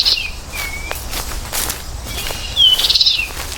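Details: American goldfinch: a few thin whistled notes that slur downward, then a sharp rising whistle that runs into a brief buzzy twittering burst near the end, against a steady hiss with soft clicks.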